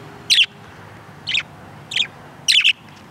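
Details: Pet budgerigar (parakeet) outside, giving four short, sharp, high chirps spaced irregularly over three seconds, the last a quick double note, with a low steady background hum.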